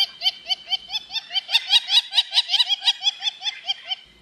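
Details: Rufous-winged antshrike (Thamnophilus torquatus) song: a steady, laugh-like run of about seventeen nasal notes, roughly four per second, ending with a brief knock.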